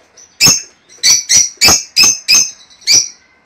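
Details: Lovebird mating call used to encourage breeding: seven loud, piercing, clipped shrieks repeated roughly every half second over a quiet background.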